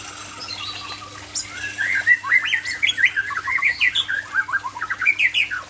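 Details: White-rumped shama of the Aceh type in an afternoon session, delivering a fast run of clear whistles and choppy chattering notes that build in loudness toward the end, over a faint steady hum.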